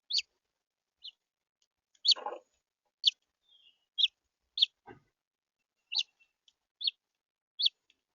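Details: Central Florida red house finch repeating brief high chirps roughly once a second, each a quick downward-sloping note, with a soft thump and a low rustle between them.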